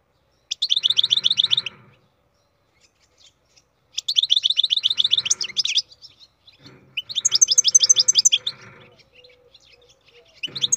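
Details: Captive-bred European goldfinch singing in three bursts of rapid, twittering, tinkling notes high in pitch, with buzzy trills and quick chattering phrases separated by short pauses; faint low background hum.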